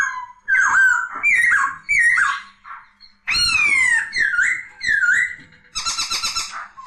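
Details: Poksay laughingthrush delivering loud, full whistles with dipping and arching slurs, each note separated by brief gaps, ending in a rapid buzzy, rattling series.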